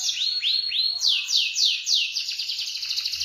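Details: Canary singing in an energetic rolling style, a series of repeated high whistled swoops each rising then falling, about three per second, shifting into faster tighter trills near the end; no other sounds.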